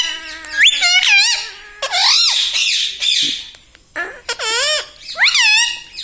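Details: Indoor pet parrot mimicking words like mummy and papa, giving shrill, wavering, harmonic phrases that dip and rise, in bursts separated by brief gaps.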